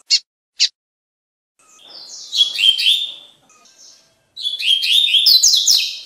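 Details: Two sharp high notes, then long fast trilling twitters in the tui tui song of a lined seedeater, a style meant to train caged birds.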